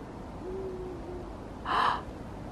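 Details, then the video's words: Owl calling in a snowy winter forest: a single faint, low, steady hoot drawn out for nearly a second, then a brief louder breathy sound close by. "Did you guys hear that owl? There's an owl in the forest."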